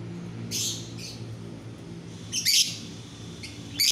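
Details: Daytime masteran, a lovebird training song: scattered shrill, scratchy chirps, one louder double squeak near the middle and another at the end, against a low background hum.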